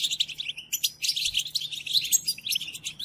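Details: Captive-training goldfinch song, European goldfinch: quick liquid twitters and buzzy trills packed tightly together, with a short gap near the start before the tumbling phrase resumes.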